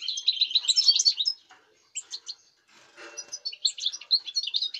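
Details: European goldfinch singing, dated 05.08.2019: a dense tinkling twitter opens, breaks off into a pause and a brief rustle, then resumes with bright chattering notes.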